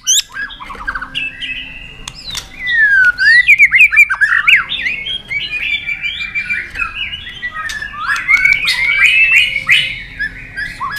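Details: A White-rumped shama flicks its tail and hops on its perch in a long wild-style duelling song: crisp clicks, then swooping loud whistles and a dense run of varied warbling phrases.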